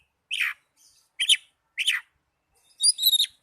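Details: Young Oriental magpie-robin uttering three harsh, buzzy chirps spaced apart, then a clearer burst of high whistled notes at the end.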